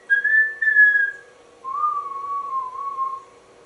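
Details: Male pet African grey parrot (Psittacus erithacus) indoors at home in Texas, hatched 1997, gives two clear, pure whistles: a higher, slightly wavering note of about a second, then a lower, longer wavering one, over a faint steady indoor hum.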